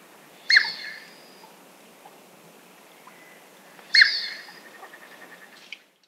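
Chestnut teal giving two loud, nasal calls about three and a half seconds apart, the second trailing off into a quick run of softer clipped notes; otherwise quiet.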